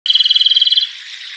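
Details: Japanese robin (Larvivora akahige), or komadori, in the wild gives a fast, dry, high trill of about twenty notes a second, lasting under a second and fading into steady background hiss; song.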